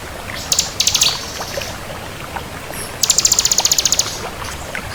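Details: Energetic song of a crystal bar-winged prinia: a brief cluster of sharp high notes, then a pause, then a one-second burst of very high, rapidly pulsed trill, with faint hiss throughout.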